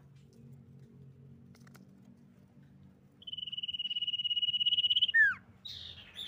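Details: Common iora song used to lure others into singing: after low background rumble, a rapid high trill builds steadily, drops into a sharp falling note, then short high whistles follow.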